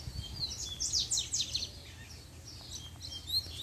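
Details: Coleiro, a double-collared seedeater in pair management, singing in puxada style when the female appears: a rapid run of high, sharply sweeping notes in the first second and a half, then sparser faint chirps over low hum.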